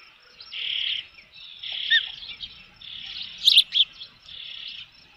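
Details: Osprey at a nest with a fish at a ranch, early June, late afternoon: drawn-out shrill whistled calls in separate bursts with short sharp chips between them, faint low rumbling underneath.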